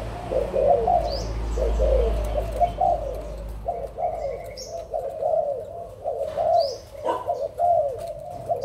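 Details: Adult spotted doves from Malaysia and Thailand, recorded 16 March 2022, giving low, soft cooing phrases that run almost without pause and overlap, with faint higher chirps from small birds above.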